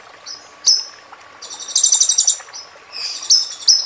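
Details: Song of a ruby-cheeked sunbird, used as masteran for training a moulting bird: sharp high whistles, a quick buzzy rattling roll, then more high slurred whistles with a short trill.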